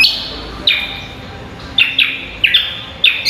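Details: Songbird-contest training recording of a greater green leafbird: sharp whistled phrases that drop quickly and then sustain a level tone, coming in clusters after a pause at the start.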